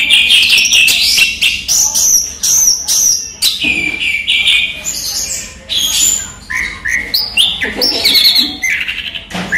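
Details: Orange-headed thrush kept as a cage songbird, singing in daytime: rich, fast medley of clear whistles, sharp upslurs and buzzy chattered notes in dense bursts with short pauses.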